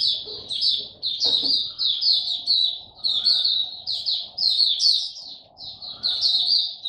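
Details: Oriental white-eye kept as a hobby songbird, singing on its first test day after its return. A dense, nearly unbroken high twittering warble of rapid sweet notes running through the whole stretch, with a faint knock early on.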